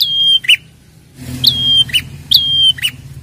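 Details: Prinia lure recording meant to set prinias calling: three phrases, each a bright note sliding down into a flat sustained whistle and ending in a brief rasping chip, over a low hum.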